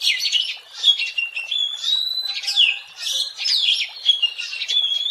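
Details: Oriental magpie-robin in the wild, song meant as a lure: long drawn-out whistles alternating with scratchy, warbled phrases and quick chirps, loud and steady throughout.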